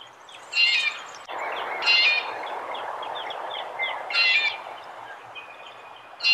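Red-bellied Woodpecker giving short, rolling churring calls, about one every two seconds, over a steady murmur of broadband background noise.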